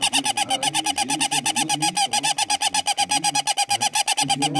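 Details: Caged bird screaming very loudly: a relentless, rapid train of harsh, ringing pulses, about eight per second, loud and steady throughout with little pause.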